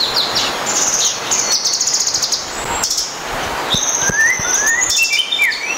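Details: A blue nuthatch in Malaysia gives thin, very high chattering trills in quick bursts, with a few short rising whistles near the end.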